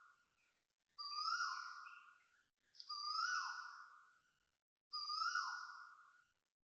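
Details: Asian koels at dawn, 6:13 am on 13 November 2025, Toa Payoh Lorong 8, Singapore, giving loud vibrato calls: three drawn-out ringing notes, each rising sharply then sagging over about a second and a half, spaced roughly two seconds apart, with quiet gaps.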